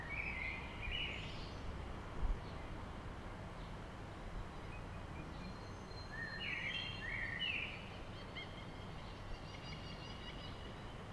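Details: Western marsh harrier (Circus aeruginosus) in a display flight over a field in southern Sweden on 14 May 2016 gives thin, high mewing whistles, one burst early, then a longer run of rising and falling notes, over steady wind.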